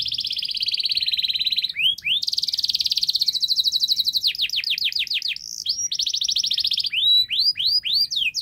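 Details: Long canary song for prompting silent canaries to sing: sustained buzzy rolls, pulsed trills and sequences of sharply rising whistles in varied tours, clear and loud.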